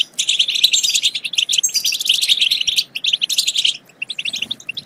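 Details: Goldfinch song to stimulate singing and mating: rapid, tinkling chirps and trills in a dense burst, a short quiet gap, then scattered notes.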